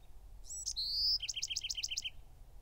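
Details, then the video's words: A Bewick's wren (Thryomanes bewickii) sings a brisk phrase: a few buzzy opening notes, a clear high whistle, then a quick trill of about seven sharp notes, over a faint low rumble. "The song of the Bewick's Wren"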